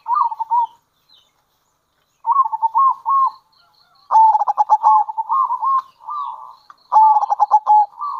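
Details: Local zebra dove giving kerot and bekur cooing used as a lure for other zebra doves: quick bursts of rapid, stuttering pulsed coos, some rolling and some clipped, separated by pauses of silence.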